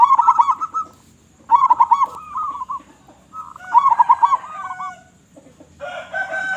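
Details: Loud-voiced local zebra dove repeats three trilled coo phrases about every two seconds, each with bouncing pulses, before a harsher, richly harmonic call closes.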